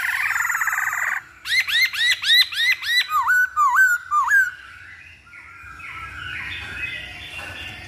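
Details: Masked laughingthrush lure recording aimed at provoking song: about eight loud, evenly spaced arching notes, then three dipping whistles, ending in softer, busier chatter.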